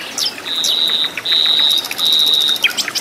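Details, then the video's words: Flycatcher singing vigorously in the wild in its native habitat: long, steady, high whistled notes held about half a second each, separated by short sharp chirps, with other birds' faint twitters behind. "KICAU BURUNG SIKATAN LONDO GACOR DI ALAM LIAR"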